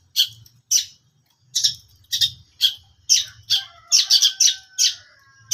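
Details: Long-tailed shrike giving spaced, sharp, harsh chips that bunch into a quick, chattering flurry. A thin, level whistled tone runs beneath the later notes.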